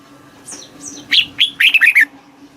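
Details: Thai red-whiskered bulbul song, southern master style played to rouse caged birds and teach chicks: two thin falling high notes, then a clear phrase of rich warbled whistles, rising then descending.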